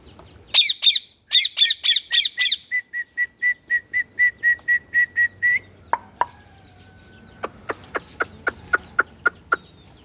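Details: Indian ringneck parakeet producing paired buzzy, stuttering notes, then a long regular series of short level whistles about twice a second, a drawn-out fading tone, and finally a rapid run of sharp clicks.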